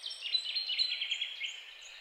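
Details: European goldfinch singing a rapid, continuous twittering song of tinkling, liquid notes run closely together, with brief trills and no pauses, over faint background noise.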